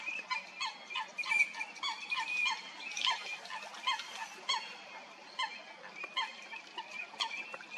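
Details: Coots fighting at Stodmarsh, Kent, UK, produce a long busy run of short, harsh, nasal notes in quick irregular bursts, some squeakier, over a constant high hiss.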